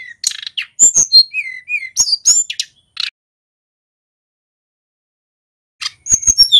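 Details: Male Pacitan mountain white-eye singing in full, varied song. A burst of high chirps and short whistled slurs lasts about three seconds, then near silence, then another quick, sharp twittering burst.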